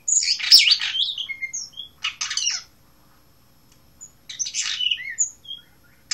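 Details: Blue rock thrush in Asia giving harsh, chattering song bursts with a few high whistles. Two phrases come close together at the start, then a long quiet gap, then a final scratchy phrase.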